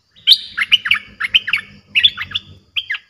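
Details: Streak-eared bulbul, a fierce-sounding song played to lure aggressive wild birds: bursts of chattering, bubbly notes with sharp rising and falling whistles, grouped in quick phrases with short pauses, on a quiet background.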